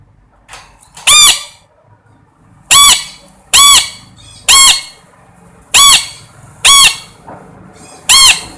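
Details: A parrot calls with seven harsh, grating squawks at irregular gaps of about one second, each a short burst full of bright overtones, against a quiet indoor background.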